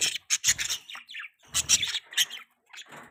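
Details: Pet budgerigars making mating sounds: dense overlapping chatter of harsh chirps, squeaks and rasping notes in irregular bursts, with a few short pauses.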